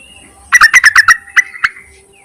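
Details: Yellow-vented bulbul calling males, used for luring: a fast run of about six loud, throaty chattering notes, followed by two spaced single notes.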